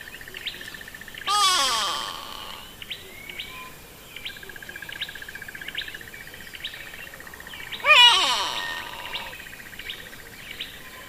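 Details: Grey Go-away-bird, usually in small groups perching conspicuously on trees and bushes, gives two loud nasal go-away calls several seconds apart, each sliding downward. Another bird's thin, evenly repeated chirps continue steadily underneath.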